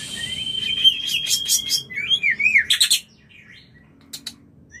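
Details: Breeding-season mating call of the white-rumped shama: a sustained high whistle, then a burst of rapid clicking notes and a wavering warbled phrase, ending in sparse faint chips.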